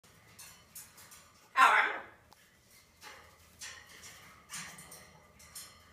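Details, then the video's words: Blue-and-gold macaw talking indoors: one loud, harsh, raspy vocal burst, then several softer breathy voiced syllables spaced about a second apart. "Blue and gold macaw talking "bird crap""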